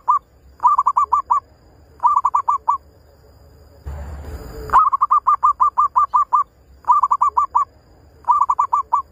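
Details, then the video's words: Zebra dove, used as a lure bird, gives bursts of six or seven quick, mellow staccato coos, repeated roughly every second and a half, broken once by a short rush of noise. "Pikat PERKUTUT/MERBUK"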